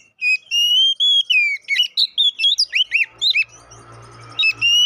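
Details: Oriental magpie-robin (kacer poci) song used to provoke fighting: long sustained whistles, then a quick sequence of sharp downslurred notes, a short quiet gap with faint hum, and a final whistle.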